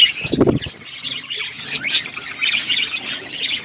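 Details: Budgerigars kept as pets on a winter morning, steady high chattering and chirps from several birds, opening with a brief low thumping noise.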